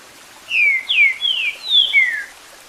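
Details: Green-winged saltator song in the 'Eu Sou Terrível' style, played with water sound: a phrase of five loud slurred whistles, each falling in pitch, delivered over under two seconds above a soft background wash of water.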